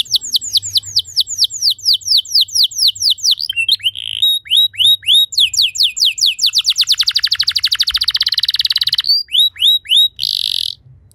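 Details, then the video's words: Canary singing, played to teach other canaries: rolling trills of sweeping high notes, a sudden fast buzzy rattle, then slower looping whistles and a final short harsh burst. "Putar 10 Detik Saja Kenari Lain Bisa Ngeplong Anti Ngeriwik Gacor Nembak Panjang"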